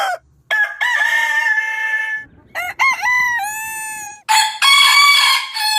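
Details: Several rooster crows follow one another in quick succession, each a harsh, drawn-out call with rich stacked harmonics. Some rise at the start and then hold a long, level tone before breaking off, with brief gaps of near silence between them.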